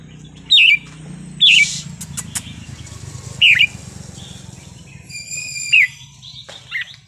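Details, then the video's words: Red-whiskered bulbul giving wild-style song: four separate short twisting whistled phrases about a second apart, set against a noisy background hiss and a low rumble. "นกกรงหัวจุกเพลงป่า สำนวนเพราะ ๆ"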